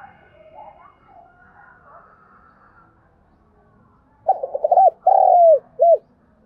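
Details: Lure call of a spotted dove for training freshly caught doves: faint, muffled cooing at first, then a loud close burst of several short, throaty coos followed by a longer drawn-out coo and a final short note.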